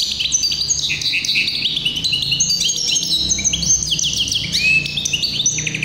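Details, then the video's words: Hybrid canary, called tuffahi, singing a continuous high warbling song of rapid trills, whistled notes and descending slurs, densely layered with hardly a pause; faint low hum underneath. "تغريد هجين التفاحي"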